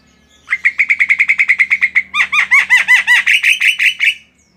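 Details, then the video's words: Javan myna, kept tame, pouring out a fast chattering series of rapid repeated notes, shifting into louder looping, bubbling whistled phrases, about two to three notes per second, over a faint low background hum. "SUARA BURUNG JALAK KEBO GACOR"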